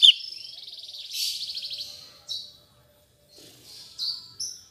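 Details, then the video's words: Captive Black-headed Bulbul after moulting, still relearning its song: a buzzy, rapidly pulsed trill held near one pitch, then a broad rasping burst, short high whistled notes after a pause, a faint low hum underneath. "Burung Cucak cungkok gacor paska mabung"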